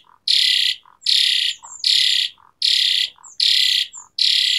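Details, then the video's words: Asian pied starling (jalak suren) training track with varied 'shot' phrases, used as a lure for starlings that have stopped singing: loud harsh rasping bursts repeated about every 0.8 seconds, with short lower notes and thin whistles between them. "Pancingan Jalak Suren Gacor Variasi Isian Tembakan | Masteran Suara Burung Jalak Macet Bunyi"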